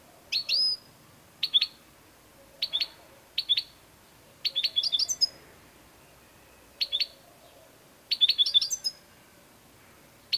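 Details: European goldfinch singing in short, bright phrases of sharp metallic notes, some with high rising whistles, repeated at irregular intervals of about one to two seconds over quiet background.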